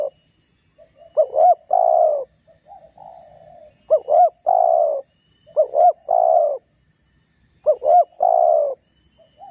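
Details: A spotted dove's rival-provoking call, used to lure other doves: a short double upswept note running into a long level coo, repeated four times at steady intervals, soft coos between.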